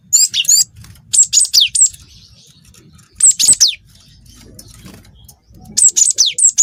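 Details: Cinereous tit (glatik watu) singing a song filled with canary-style phrases: bursts of three or four sharp, very high, downward-sweeping whistled notes, then a short buzzy trill, with gaps of silence between phrases and a low rumble underneath.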